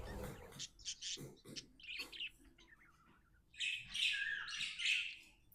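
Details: Happy budgie at home chirping: short squeaky notes at first, then a loud, continuous scratchy warble over the last two seconds.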